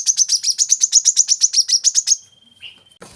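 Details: Olive-backed sunbird song used to coax young birds into singing: a rapid, regular trill of high, sharp notes lasting about two seconds, followed by a thin level whistle and a short noise.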